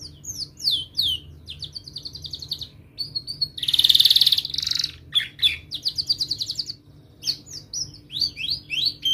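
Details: Canary lesson song for young and silent canaries: scattered high chirps and short trills, a loud harsh buzzy burst near the middle, then more clipped rolls and downslurred notes with gaps between.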